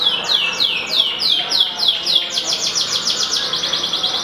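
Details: Caged yellow canary in full song: a rapid series of down-slurred whistled notes repeated about three or four times a second, the phrase shortening and speeding into a fast rolling trill.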